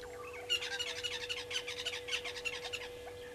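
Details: Brown-headed parrots at their nesting tree by a waterhole on Djuma Game Reserve, Sabi Sand Wildtuin, South Africa, 13 March 2022 at 14:22: a rapid run of shrill, harsh, buzzy squawks lasting about three seconds over a steady low hum.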